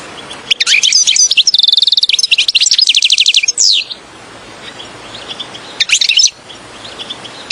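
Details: Goldfinch song used as a trapping lure: a three-second run of sparkling twitters and a rapid, rattling trill, then near silence broken by a brief second twitter burst.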